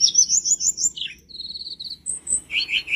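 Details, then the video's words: Tledekan gunung flowerpecker in lively training song: a fast run of high pulsed tseep notes, then a steady trill, a brief pause, and a thin whistle before lower warbling chips. "burung tledekan gunung gacor"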